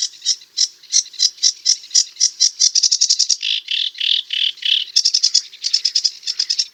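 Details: Sedge warbler in full song, delivering a steady run of gritty chattering notes that speed into a dense trill, shift briefly to a lower rasping stretch, then return to fast chatter.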